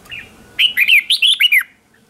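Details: Red-whiskered bulbul decoy song used to call in other bulbuls for competition singing: a quick burst of six bright, slurred whistled notes, rising and falling, after a faint softer note.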